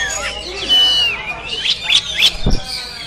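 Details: Kacer moncong, a caged Oriental magpie-robin singing at a practice contest in Sambas, captured on an action camera. A long clear slurred whistle, then quick sharp upswept chips repeated rapidly, a low thump, and soft chatter behind.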